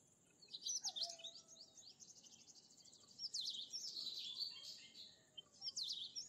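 Bimaculated Lark giving bursts of high, scratchy, chattering notes in three main bouts, with a faint steady high hiss behind.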